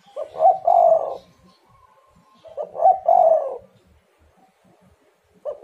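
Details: Spotted dove cooing, meant to lure lazy doves into calling: two mellow, slightly rasping coo phrases about three seconds apart, each rising into a strong rolling note, with a third beginning at the end.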